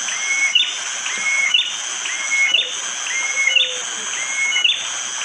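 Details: Bar-winged prinia in forest at Wonocoyo Village, Panggul, East Java, Indonesia, recorded by phone on a rainy morning. Its hard, sharp 'tembakan' phrase is a whistled note followed by higher chirps, repeated about once a second over a steady insect hum.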